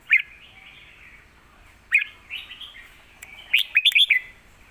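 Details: Red-whiskered bulbul giving a fierce Lak Wai song and complete master song for tutoring young birds; two single whistled notes about two seconds apart, soft warbles, then a rapid bright run of five or six looping notes.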